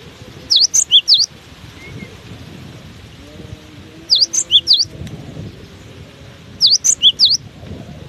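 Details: Cinereous tit persists in strong wind with three evenly spaced phrases, each four to five loud, high, sharp whistled notes, about two and a half seconds apart, over a low rumble.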